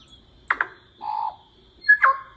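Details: A tui, a New Zealand mimic, sings a varied phrase: two quick harsh clicks, a mellow hollow note, then a clear whistle and a gurgling burst, all within a couple of seconds.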